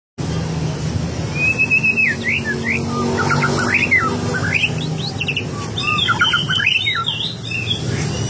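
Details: White-rumped shama song used to provoke other birds into replying: varied whistled phrases, rising and falling sweeps and rapid trills, over a steady low hum of traffic or engine noise.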